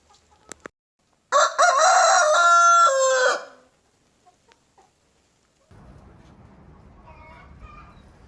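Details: Leghorn rooster giving a single loud crow of about two seconds with a steady held middle and falling end; a few clicks before, then low rumbling background noise afterwards.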